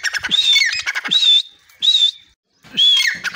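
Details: Grey francolin calling at the door of its cage in Pakistan, giving loud, shrill high notes in three or four bursts, with lower scratchy chatter under the first bursts and a brief silence before the last.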